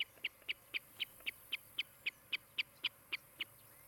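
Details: Osprey calling at its nest in Charlo, Montana, on a nest camera on 16 July 2018 in the afternoon: a rapid, even series of sharp, high whistled chirps, about four each second, with soft background hiss.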